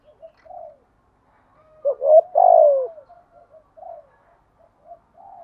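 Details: Decoy spotted dove cooing to provoke doves into calling: faint soft coos around one strong, throaty phrase ending in a long falling note, with quiet answering coos after.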